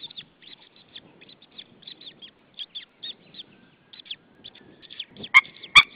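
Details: White-tailed eagles at a nest in Saunja, Estonia, on an April 2013 evening at 19:20, the pair calling out to another eagle. Rapid high yelping notes run in an uneven string, ending with several loud knocks.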